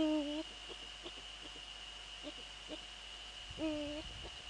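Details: Eurasian eagle-owl pair at night in the Netherlands, 15 February 2013, 04:40, as the male visits the female near the nest. Deep, level, hoarse calls open and close the stretch, separated by soft clicks and rustles, with a constant high-pitched hum behind.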